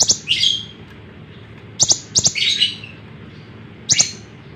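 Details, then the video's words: Lemon-bellied white-eye, a lively singer kept for training other songbirds, gives short bright chirping bursts and a rapid twittering phrase, high and sharp, separated by pauses of about two seconds. "suara burung konin gacor cocok buat masteran"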